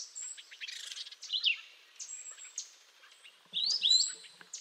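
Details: Canada jay, also called grey jay, calling: sharp chirps and high, downslurred whistled notes in scattered bursts, with a loud cluster of twisting whistles near the end.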